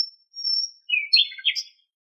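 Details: Common nightingale singing in Greek nature: a thin, high sustained whistle followed by a rapid jumble of warbled, chirping notes.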